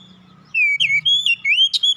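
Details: Oriental magpie-robin lure song for birds that will not sing: after half a second of low hum, a fast unbroken series of loud rich whistles rises and falls, with sharp chip notes mixed in.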